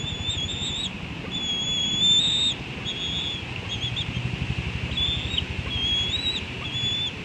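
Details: Eaglet in a wild bald eagle nest at the National Arboretum, Washington, D.C., in June 2022, squeeing when the adult male lands: a series of high, thin whistled notes, some rising and falling, against constant low rumbling noise.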